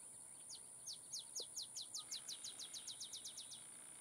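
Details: An olive sparrow (Arremonops rufivirgatus) sings at Laguna Atascosa National Wildlife Refuge, Los Fresnos, Texas, on 30 May 2015: about fifteen sharp, down-slurred chips speed up into a loose trill over a steady, high insect whine.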